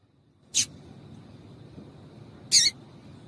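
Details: Calling female yellow-bellied seedeater, meant to stimulate males: two short, high, piercing chirps spaced about two seconds apart, against low continuous background noise and a faint steady high tone.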